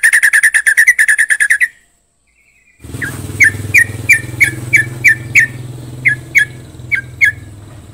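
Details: Yellow-vented Bulbul song: a quick run of bright, bubbly whistled notes, a short silence, then more clipped whistles repeated about three times a second over a steady low engine-like hum.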